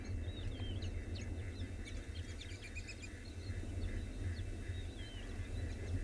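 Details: A very noisy flock of White-faced Whistling Ducks busily feeding in the morning at Thornybush gives high, thin, slurred whistles and busy chatter over a steady low rumble of wind.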